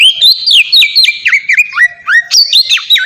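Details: Lure song of an Oriental magpie-robin for prompting captive birds: melodious whistled notes sliding down and up in quick succession, mixed with brief harsh chatters, unbroken for three seconds.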